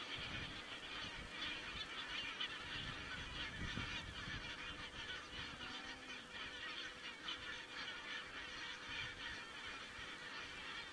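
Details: Many geese calling together in Estonia on 27 September 2017, picked up by a crane-watching webcam; continuous overlapping honks form a steady chorus, with a faint low hum and a few thumps in the background.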